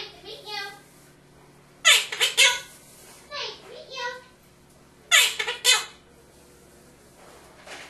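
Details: A pet Monk (Quaker) parakeet in Maryland talks in bursts of high, raspy, speech-like phrases such as "nice to meet you" and "that's pretty good", with short pauses between them.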